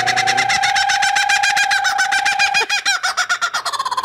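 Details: A captive laughing kookaburra at a zoo, in a morning newsroom, gives its raucous territorial laugh, rapid harsh repeated notes bubbling into chuckles, prompted on cue by people rolling their R's at the start.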